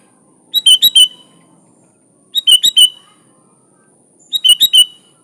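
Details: Kutilang, the sooty-headed bulbul, repeating a short phrase of three to four liquid, whistled notes about every two seconds, three times, with a faint hum behind.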